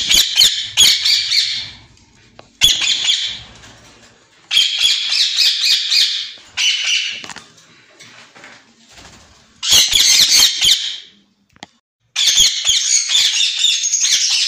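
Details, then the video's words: Captive pair of white ringneck parakeets kept for sale, giving loud bursts of rasping, shrill squawks, each lasting one to two seconds, separated by short quiet gaps. "White ringneck pair"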